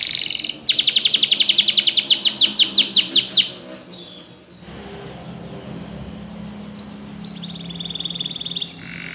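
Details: Spanish Timbrado canary training song: a loud rapid trill of many short sweeping notes lasting about three seconds, followed by quieter, more distant thin whistles and soft rolling.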